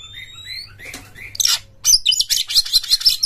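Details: Oriental magpie-robin (kacer) lure song meant to provoke rival birds into tail-spreading, full singing and fighting; opens with a few clear rising whistled notes, then breaks into dense, harsh, high-pitched chattering.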